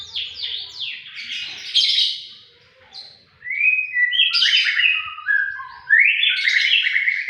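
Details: White-rumped shama singing persistently and sharply, loud rich varied phrases of falling whistles and sweeping slurred notes, nearly continuous, in a quiet setting.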